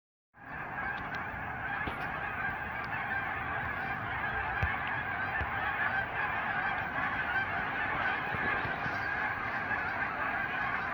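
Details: Hundreds of geese calling together, a dense unbroken roar of overlapping honks starting abruptly after a brief silence and holding steady.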